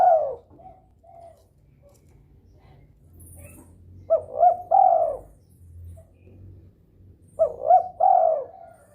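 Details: Breeding-mood spotted dove calling repeatedly to prompt rival doves to join in. Two loud phrases, a quick stuttering pair of notes and then a long falling coo, come several seconds apart. Soft low hum between phrases.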